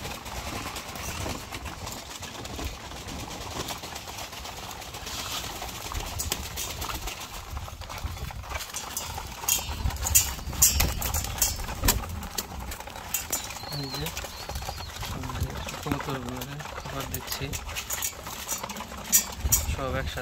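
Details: Pigeons kept in cages in Bangladesh, eager for their morning feed. Low, wavering coos rise in the second half over steady pecking, scratching and clattering noise.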